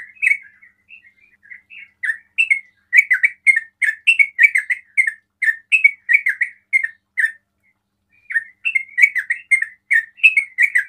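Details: Sooty-headed bulbul singing in the rapid 'ropel' style said to provoke other bulbuls into calling: bursts of short, bubbly chirped notes in quick runs, a pause near eight seconds, then more lively chirping.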